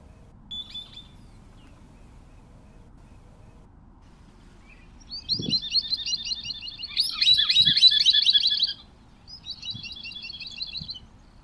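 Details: Song of the scimitar-billed woodcreeper, Drymornis bridgesii: rapid bursts of high, chattering notes in three close bouts, the middle one loudest and densest. A few faint low thumps sound in the background.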